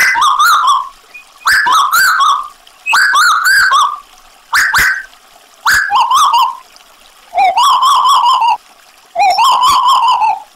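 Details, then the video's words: Tuwu bird in lively voice, with added trickling water. Seven bursts of quavering, trilled whistles come roughly every one and a half seconds, each wavering and then sliding slightly lower. "Tuwu Gacor Audio - Tembakan Lampiran Burung Tuwu Gacor Sadis"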